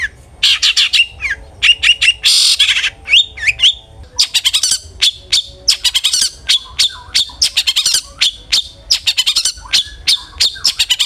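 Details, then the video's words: Long-tailed shrike song used as a lure to make other shrikes sing: a dense, fast medley of sharp high chirps, harsh raspy bursts and short rising whistles, delivered in rapid clustered bursts. "suara burung CENDET GACOR ampuh pancingan CENDET AGAR BUNYI"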